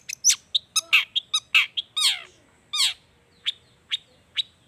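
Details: Long-tailed shrike song played as a lure to make shrikes sing: harsh, scratchy broad notes and downward-sweeping squeaks in quick irregular bursts, then spaced short sharp notes about every half second.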